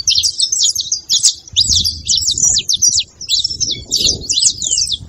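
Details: High saffron finch song meant to warm up a quiet canary: bursts of rapid, sharp chirps and zigzag notes separated by short gaps, over a low background rumble.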